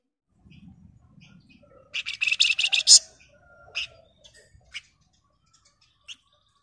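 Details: Flamboyan bird in the 'gacor ngebren rapat nyerecet' style: a quiet low rumble, then a tight run of harsh, high buzzy chirps near two seconds, with scattered sharp single notes after it.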